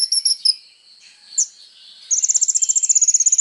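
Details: Kolibri ninja sunbird used as songbird training material: a few high chips and a lone squeak, then a rapid, slightly descending trill of thin, piercing notes, about four per second at first, quickening.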